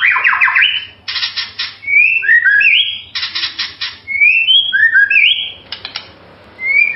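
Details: A white-rumped shama (murai batu) sings rich, fluting whistled phrases that slide up and down, broken by three harsh, buzzy rattling bursts over seven seconds.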